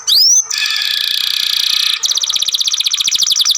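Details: Young canary, a song-training (masteran) bird, gives one rising whistle, then a long, dense, grumbling buzz lasting over a second, changing into a quick rhythmic pulsed trill.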